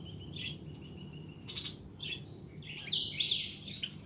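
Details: Young pet European goldfinch, a pintón, heard fairly softly: scattered high chirps and a thin held note early on, then a brighter burst of buzzy twittering near the end.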